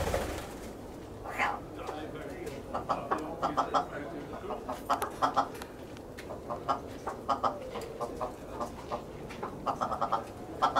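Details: Captive willow ptarmigan (Lagopus lagopus) at an aviary in Holland, August, giving nasal, stuttering clucks in quick bursts of three to six notes, repeated every second or so, over a low background rumble.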